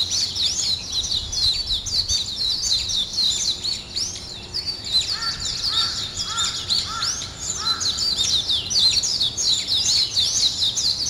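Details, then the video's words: Morning bird chorus of shrill overlapping twitters, joined midway by a lower, repeated short call from another bird several times. "아침을 깨우는 새소리 2 ,Birds wake up in the morning 2"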